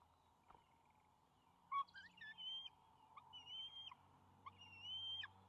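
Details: Two young bald eagles at the nest after the father brings fish, May 28, 2020. Soft, somewhat distant whistled squeals and chattering chips in short phrases over a low background hum.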